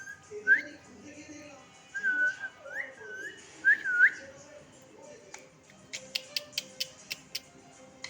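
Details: Fourteen-year-old pet parakeet copying people's whistling: a run of short upslurred whistles over four seconds, then a string of sharp regular clicks or taps, with faint background voices.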